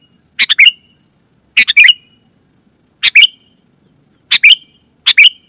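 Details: Calls of a sooty-headed bulbul, played to lure wild birds and tutor caged bulbuls: five clipped phrases of two or three fast harsh notes trailing into a short whistled tail, spaced over a second apart.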